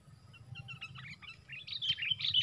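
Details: Sooty-headed bulbul in a four-against-one fight during bird trapping: sharp chirps that start scattered and quiet, then grow louder, higher and denser toward the end, over a low steady rumble.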